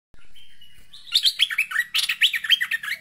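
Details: Agitated merbah lekir bulbul calling a rival: a steady thin whistle opens, then a rapid burst of loud, jerky, bubbling chattering notes sweeping up and down, about four per second.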